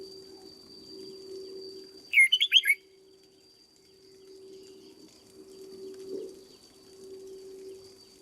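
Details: Caged red-whiskered bulbul being trained, a short burst of four or five loud warbled whistled notes near the middle, with a steady background hum and faint noise.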